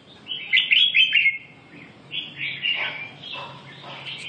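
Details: A red-whiskered bulbul delivers lively, slurred whistled phrases, starting with a loud rolling run and followed by softer chirping notes after a short gap.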